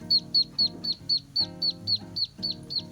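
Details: Muscovy duckling (pato), its call described as shrill to tell it apart from a native itik duckling: high, sharp peeps repeated rapidly about four times a second, steady and even, over a background of music.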